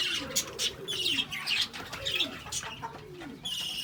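Lovebirds chatter in busy, high, squeaky chirps that overlap almost without pause, while a low, soft cooing rises and falls beneath them.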